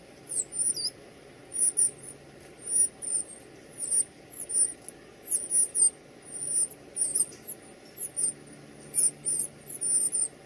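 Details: Young birds calling as they are fed, giving a steady run of shrill, high squeaks in brief rapid bursts roughly twice a second over a soft background rumble.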